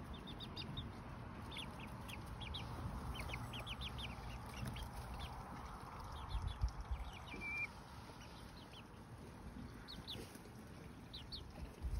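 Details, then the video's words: Almost fully feathered Lemon Millefleur Sablepoot bantam chicks, two months old, in a garden, give rapid high cheeps in loose clusters, several per second, over a constant low background hum. "2 Month Old Bantam Chicks | Lemon Millefleur Sablepoot Bantam Chickens"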